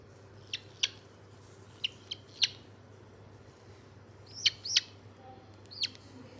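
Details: A white-bellied caique, recorded 27 August 2022, gives clusters of shrill, squeaky chirps and doubled screeches at irregular intervals above a steady low drone.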